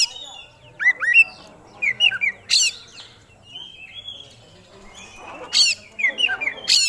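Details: Oriental magpie-robin, a contest songbird, singing with gusto and showing off its fill-in repertoire. Clear slurred whistles and sharp high strokes come in short bursts around quieter warbling.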